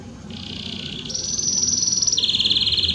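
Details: Belgian canary song to warm up a canary: a steady buzzy trill that jumps higher, then drops to a rapid pulsing rattle, over faint low background noise.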